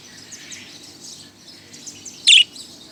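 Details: Budgerigar that flew into a tenth-floor office near Shapla Chattar, Motijheel, around noon, keeping up a soft high twittering chatter broken by one loud, sharp chirp near the end.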